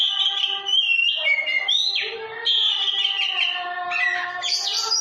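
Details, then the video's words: Oriental magpie-robin song, melodious and used for training other captive birds: rich, varied whistled phrases, sliding notes and clear tones that flow almost continuously, with fuller, brighter bursts near the start and end. "Kicau burung kacer"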